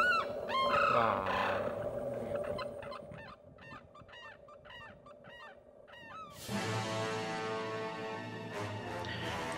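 Sarus Crane giving a quick run of loud, honking trumpet notes, nearly three a second, before swelling music drowns them out.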